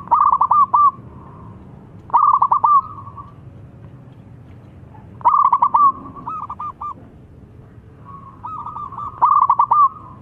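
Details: Zebra dove, local type, calling and answered by a rival: four separate rolling phrases of fast pulsed coos, each closed by a drawn-out tone and spaced about two to three seconds apart, quiet between.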